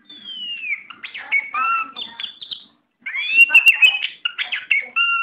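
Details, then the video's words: Tame oriental magpie-robin giving a long descending whistle, then a busy string of varied whistled notes and chirps, a brief pause, and another rich burst of rising and steady whistles mixed with clicks. "Video Burung Kacer Jinak"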